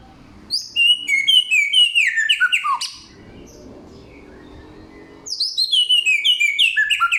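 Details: Loud, clear samyong song of forest material: rapid bursts of sharp, descending whistled notes repeated about twice a second, a two-second quiet gap in the middle, then the fast chattering phrase resumes.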